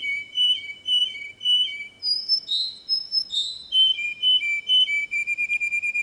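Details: Canary sings repeated paired whistled notes, then louder sweeping slurs, then a brisk string of short chirps that speeds into a fast trill.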